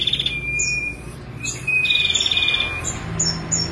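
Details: A female ashy prinia gives short buzzy trills and a thin drawn-out whistle, followed by quick high ticking notes, with a low hum behind.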